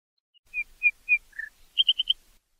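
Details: Nightingale singing: three clear whistled notes, then a lower slurred note, then a fast burst of four bright chirps in a row, heard against quiet surroundings.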